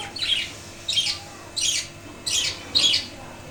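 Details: Five harsh, rasping budgie squawks follow one another at a steady pace, a little over half a second apart. They come from pet budgerigars in a wooden cage, now settling back to normal after the death of the father bird.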